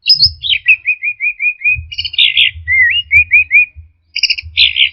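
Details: Singing orange-headed thrush, used for caged-bird training: a falling whistle, then a series of seven short repeated slurred notes, a scratchy burst, another run of rolling whistled notes, and a final chattering phrase, with low thumps.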